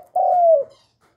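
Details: Single drawn-out, low, hollow coo from a loudly calling young male spotted dove, held steady and then dropping slightly at its end, lasting about half a second in a quiet setting.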